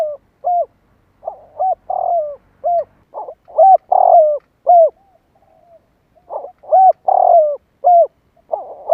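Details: Spotted dove giving its call to excite other doves, with several phrases of short hoots and long wavering falling coos, a short pause midway, in a clean, quiet setting.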